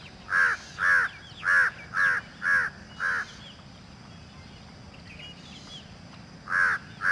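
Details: Peacock calling: six rapid, harsh, honking notes in quick succession, then a pause of about three seconds with faint background sounds, then two more loud calls.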